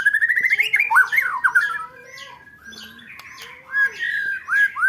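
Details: Contest-bird training song of a white-rumped shama, 'roll tembak' style: a fast wavering warble of looping whistled notes, a brief quieter pause, then renewed rapid slurred phrases.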